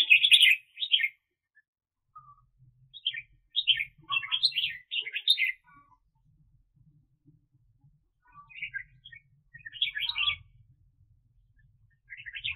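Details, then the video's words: A 2021 trapping decoy, a red-whiskered bulbul, delivers loud bursts of rich, chattering warbles in several groups spread over about twelve seconds, with quiet stretches between them and faint low background rumble. "Chào Mào Mồi"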